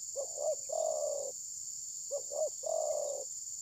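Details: Decoy spotted dove used in trapping, not attacking its opponent, recorded by mobile phone: two soft phrases of paired hoots and an extended burry coo, over an unbroken high-pitched insect hum.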